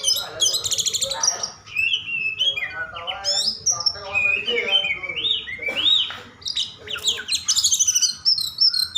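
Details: Agitated song of an Oriental magpie-robin, used to provoke other magpie-robins into singing: a rapid jumble of varied whistled notes, buzzy trills and harsh chatters crowding the high range, with short pauses between bursts.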